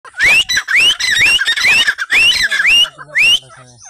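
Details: A partridge during a partridge fight gives loud, shrill, rising whistled notes, about seven in under four seconds, each sweeping upward with a harsh, ringing edge.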